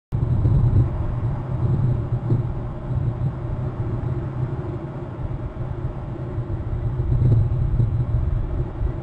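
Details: Steady low rumble of passing vehicles and engine noise fills the recording throughout, with no animal calls audible.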